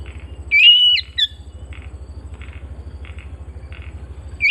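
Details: Home-kept Oriental magpie-robin delivering one sharp, sustained whistle with a short flicked note after it. Faint soft chirps and a constant low pulsing hum fill the rest, and another whistle begins at the end.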